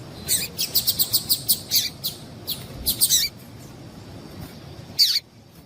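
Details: Female double-collared seedeater call used to stir males into song: a rapid string of high, thin chips, a short pause, another quick cluster, then one sharper falling note after a gap.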